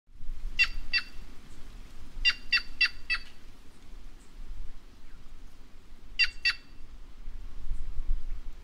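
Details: White-naped jay, a bird of the Brazilian caatinga, giving loud harsh paired notes, short broadband bursts in groups of two to four with pauses, over steady low rumbling background noise.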